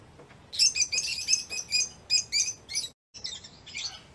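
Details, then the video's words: Lovebird in a dense, chattering stream of shrill, buzzy high notes for over two seconds, a brief break, then softer rasping twitter. "Love birds sounds | love birds sounds that will make your bird sing"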